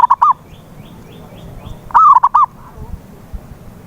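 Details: Zebra dove (perkutut) lure call used to prompt a silent dove into singing: a low, mellow cooing phrase, a rising first note followed by quick short coos, heard once complete after a clipped opening phrase, with faint higher chirps between.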